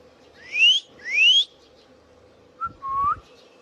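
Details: Pet Indian ringneck parakeet giving two loud upslurred whistles in quick succession, then a short clipped note and a brief rising whistle, over a steady low indoor hum.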